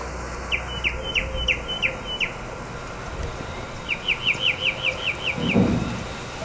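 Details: Tropical mockingbird giving an alarm call in the morning in Corozal, Belize: two runs of quick, repeated, downslurred chipping notes, about eight in each burst, separated by a pause, with low background hum.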